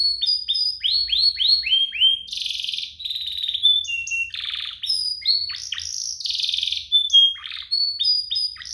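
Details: Canary song used as a lure to prompt other canaries to sing: fast varied phrases of descending whistled sweeps, buzzy trills and rapid rolls, continuous and high-pitched.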